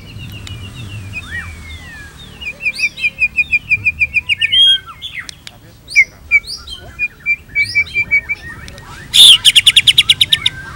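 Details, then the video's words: White-rumped shama in full song: a fast run of chips, then upswept whistles and rapid repeated notes. The song ends in a loud harsh rattling burst of about ten pulses. "PANCINGAN GACOR !! MATERI mewah cocok untuk masteran semua jenis murai | shama bird"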